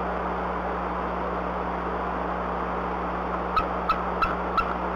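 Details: Adult female bald eagle at the nest before dawn gives her pealing warning call while wing-warning something away, during owl harassment: after quiet, four short high piping notes evenly spaced near the end, with constant low electrical hum.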